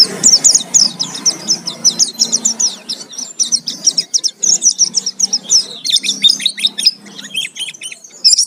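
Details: Lure recording of a vigorously singing Oriental white-eye, full of fill-in phrases: a dense stream of piercing high chirps and twitters, faster in the first half, thinning into separate slurred notes near the end, over a low hum.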